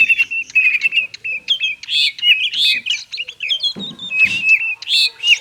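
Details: Captive white-rumped shama giving a busy, excited song intended to get silent shamas singing: rapid chips, trills and upslurred whistles packed closely together, with a brief rustle partway through.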